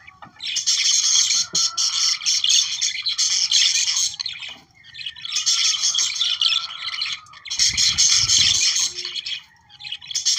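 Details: Budgerigar song to stimulate reproduction: long bursts of scratchy, squawking chatter and whistled chirps, a clear rising whistle between them, and a low rumble near the end.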